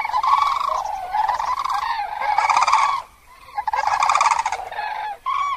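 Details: Common crane giving resonant, rolling trumpet calls in bursts of one to two seconds, separated by short quieter gaps. Harmonic overtones rise above the main tone.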